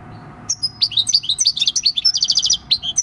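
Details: Wild-caught European goldfinch aged six, field song recorded 26 December 2019; after brief quiet, bright rapid twittering with downslurred chirps and a fast run of repeated trilled notes.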